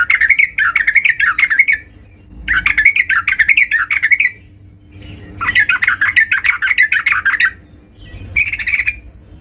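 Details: Vigorous song of a yellow-vented bulbul at home: long, rolling, bubbly chattering phrases rising and falling in pitch, four bursts of one to two seconds with short gaps between them, and a faint hum underneath.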